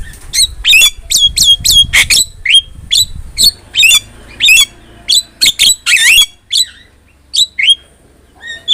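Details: Energetic Javan myna, recorded to tutor other cage birds, giving a long string of sharp clipped whistles and squawks, with a dense rasping burst near the middle and sparser calls toward the end.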